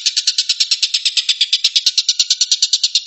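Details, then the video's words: Tengkek buto, or stork-billed kingfisher, in 'tembakan' rapid-fire style, a quick run of grating, rattling notes pulsed evenly at a fast clip from start to finish. "kicau tembakan burung tengkek buto"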